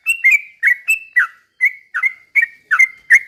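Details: Sooty-headed bulbul singing slow rapid-fire phrases meant as a lure for other bulbuls. Clear, bubbly whistles, some sliding downward and others held level, follow one another about every third of a second.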